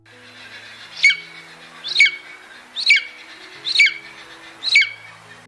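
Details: Golden eagle (Aquila chrysaetos), a UK bird, calling: five thin, high yelping calls, about one per second, each with a sharp slurred rise and fall; soft music plays underneath.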